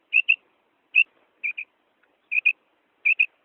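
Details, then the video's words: Call of a female quail, the madi batair kirk sought by hunters: sharp two-note whistles, mostly doubled, given five times in quick, slightly uneven succession against complete quiet. "female quail sound madi batair ki kirk"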